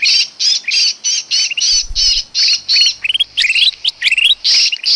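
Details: Sooty-headed bulbul calls used as a lure for trapping small birds: dense, scratchy, high chattering notes in rapid bursts, some rising and slurred, several per second with short gaps, and a low thump partway through.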